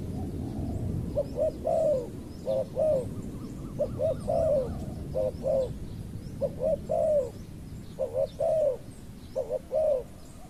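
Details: Spotted dove cooing while luring a wild dove, which has a small voice. Short notes are followed by a longer falling coo, with phrases recurring steadily about every one to one and a half seconds. Low background rumble.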